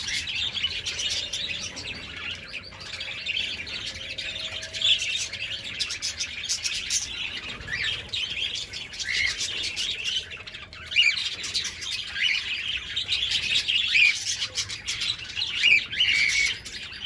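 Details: Two rescued budgerigars at a small-bird sanctuary, including a near-featherless female, keep up a busy stream of high, scratchy chirps and warbles with barely a pause.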